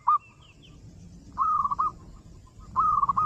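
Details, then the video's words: Local zebra dove song used to coax other doves into singing: brief rolling, trilled coo phrases separated by pauses, over a low background rumble. "Suara Masteran Perkutut Lokal FULL 30 Menit!! Manjur Buat Pancingan Yang Lain"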